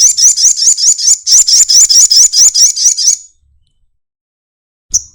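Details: Sunbird singing with its wings opened, in the 'nyepion' style: a fast, even run of about thirteen identical high, twisting notes, roughly four per second for three seconds, then silence and one last sharp chirp.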